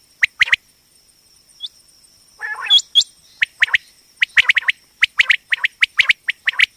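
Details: Female common quail (batair) voice, used for quail hunting and trapping: a few sharp chirps, a short pause, one raspy burst, then rapid clusters of upswept notes, with a thin steady whine.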